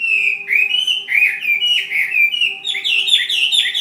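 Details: Caged fighting Chinese hwamei from Ha Giang delivering loud, fluid whistled phrases that rise and fall continuously, ending in sharper ringing notes, with a faint steady hum beneath.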